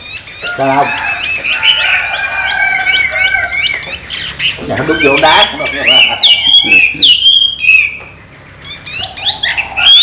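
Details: Chinese hwamei kept by an owner, pouring out a dense jumble of whistles, harsh squawky notes and quick trills, loud and varied, with brief pauses and low background hum.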